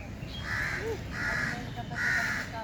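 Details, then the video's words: Three loud, grating crow caws, evenly spaced across under three seconds, with a faint voice murmuring low in the background. "crow 🐦‍⬛🐦‍⬛🐦‍⬛ original voice । kaga original voice ।"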